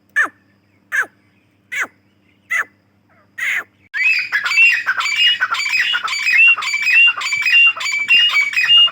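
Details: Calling female grey francolin: five evenly spaced sharp descending notes, roughly one per second, then a continuous raucous, squawking rattle with bright whistled inflections.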